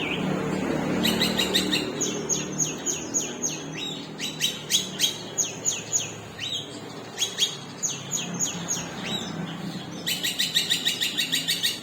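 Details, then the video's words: Long-tailed shrike with a split beak singing long, loud runs: bursts of sharp, repeated high notes, about three per second, broken by short pauses, over a steady low hum and background noise. "CENDET MEWAH PARUH SOBEK | TEMBAKAN PANJANG"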